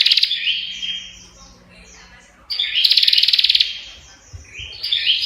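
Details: Prinia (prenjak) song: a high warbled phrase with a steady thin whistle, a quieter gap, then a loud rapid rattle of sharp ticks and a final twittering phrase.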